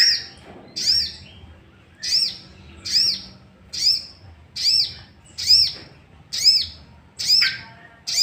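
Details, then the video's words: Sooty-headed bulbul lure, used so other bulbuls respond with song; a long, even string of loud, high, down-curving notes repeats almost exactly once per second over a faint steady hum. "Pancingan emosi burung sogok ontong"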